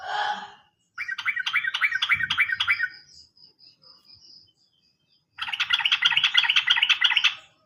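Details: Sooty-headed bulbul singing, used as a lure recording to stir caged birds that have stopped singing: a fast chattering run of short notes, a quiet pause with a faint high thin tone, then a second dense, rapid burst of repeated notes.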